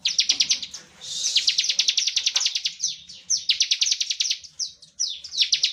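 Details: Bar-winged prinia giving its continuous 'ngebren' song, used as a lure to prompt other prinias to sing: long rapid trills of high, sharp ticking notes, briefly broken by a buzzy burst, then resumed in fast bursts.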